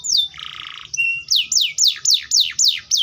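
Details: Atlantic canary: a high sweep, a buzzy rattle, a level whistle, then about seven loud descending whistled sweeps evenly repeated roughly four times a second.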